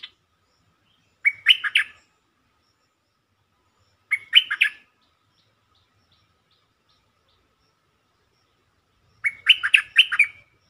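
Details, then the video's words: Bulbul song used as a lure to excite birds: three crisp, warbling phrases of four or five liquid, chuckling notes, roughly three and five seconds apart, over near silence. "เสียงนกดอกแตงEp.147 เปิดให้นกคึก เพลงดีสำนวนน่าฟัง Suara pikat merbah lekir"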